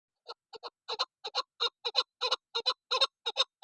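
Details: Female chukar partridge (desi chakor) calling, a call used as a hunting lure. Harsh clucking chuck notes, some single and some paired, come about three per second and build in loudness over a quiet background.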